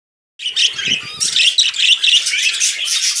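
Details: Pet budgerigars, two brothers perched on a person's hand indoors, chattering in busy, high, scratchy chirps and warbles that start after a brief silence and continue almost without pause.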